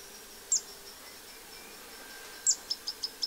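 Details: A zitting cisticola (Cisticola juncidis) sings in spring, 3 April 2024, at Séné Nature Reserve, Morbihan, France: sharp, very high 'zit' notes, one lone note then a quick run of five at about five per second, over a faint insect hum.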